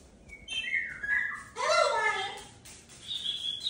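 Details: Pet cockatoo indoors during an evening sunset chat: short high chirps, then a louder harsh, buzzy call that drops in pitch, ending with a thin high note, with a quiet room behind.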